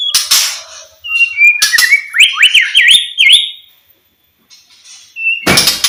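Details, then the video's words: White-rumped shama singing to prompt quiet shamas to sing: clear whistled notes, then a quick zigzag run of rising and falling whistles, a short pause, and a harsh burst at the end. "MURAI BATU DIEM,, PASTI NYAUT ,TERGODA DENGAR SUARA KICAUAN MURAI BATU INI"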